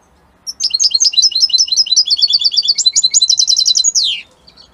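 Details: Strong song of a European goldfinch of Italian type: a sustained chain of crisp high twitters, several rattling trill bursts, and a sharp descending slur to finish.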